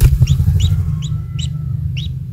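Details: Newly hatched kingfisher chick at its nest, the only young, being fed insects by a parent; short bright chirps repeat about every half second over a heavy low rumble.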